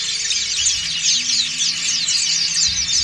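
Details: Crowd of white-eyes, dakun and montanus types, singing ngriwik together as training material; unbroken, shimmering high twitter of overlapping fast squeaky phrases, with a faint low hum beneath.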